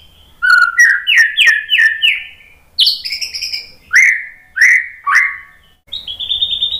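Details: White-rumped shama song used to provoke birds into singing: loud rising whistled notes in quick runs, a high sharp phrase, then three slurred whistles and a soft trill at the end.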